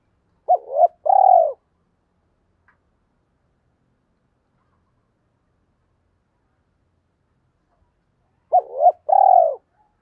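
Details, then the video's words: Spotted dove cooing used as a lure for wild males: two identical phrases about eight seconds apart, each a short note, rising hoot and long drawn coo, with silence between. "chim cu gáy mồi giọng thổ pha thúc gù như máy khâu, bổi nghe ức chế gáy theo, mở là gáy"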